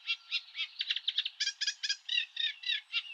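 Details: A Eurasian reed warbler, a bird of European reed beds, gives its specific call at normal speed: a fast run of harsh, grating chirps, about four notes a second, steady and chattering, with nothing else in the background.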